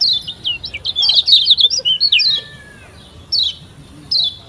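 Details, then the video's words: Lombok yellow white-eye (kecial kuning) used as a training lure for novice birds: an opening burst of quick high twittering notes, a short pause, then two lone sharp chips. "PANCINGAN Kecial Kuning PEMULA‼️Biar CEPAT GACOR‼️"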